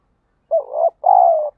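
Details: Spotted dove cooing to urge fighting while training a decoy bird; one loud two-part phrase: a brief warbling coo, a short pause, then a longer, steady, slightly descending coo.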